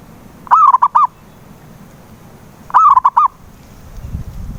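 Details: Zebra dove call used as a lure to get a silent dove to sing: two phrases, each a rolling series of four quick cooing notes near one pitch, about two seconds apart, with faint low background rumble.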